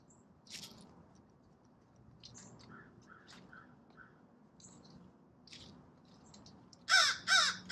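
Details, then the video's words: American crows at a seed bowl give three loud, harsh caws about half a second apart, after quieter scattered bird notes and a low background rumble. "American Crows"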